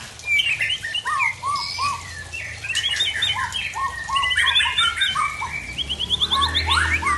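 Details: Murai Aceh Original Tangse white-rumped shama in aggressive post-moult song: lower rounded whistled notes repeated in short series, mixed with higher trills and rattling runs, delivered loudly and continuously.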